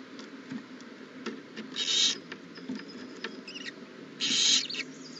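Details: Owl at a nest holding a newly hatched owlet, April 20, 2019; two separate raspy hisses about two seconds apart, with light scratching and rustling between them.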